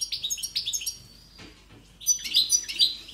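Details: Powerful European goldfinch song: quick repeated chirping phrases, a short lull, then a renewed burst of sharp, tinkling twitters.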